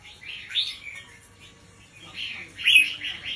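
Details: Red-whiskered bulbul teacher bird with a slow, spaced 'berl' song for tutoring young birds, heard here softer: two mellow warbled phrases of whistled notes separated by a quiet stretch.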